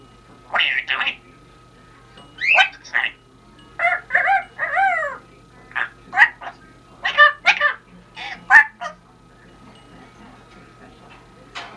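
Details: A female Congo African grey parrot talks in short, clipped human-like words and phrases, about ten bursts over twelve seconds, over a faint steady hum.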